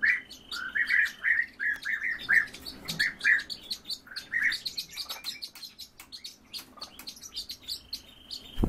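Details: A duet by two orioles kept as cage birds: short fluty, slurred notes repeat roughly every half second for the first few seconds, then thin chirps continue, ending with a low thud.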